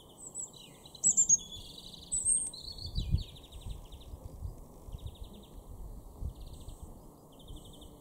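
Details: European greenfinch in an April 2023 garden in Norden, East Frisia, northwest Germany, giving scattered high twittering notes and short buzzy trills amid other garden bird calls, over low background rumble.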